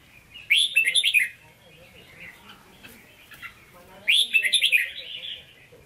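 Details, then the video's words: Caged red-whiskered bulbul in Hue-style song (hót ché): two loud, rapid bursts of sharp chattering notes about three seconds apart, each trailing into softer warbles, with quieter twittering in between. "Chào Mào Chuẩn Giọng Huế Hót Ché"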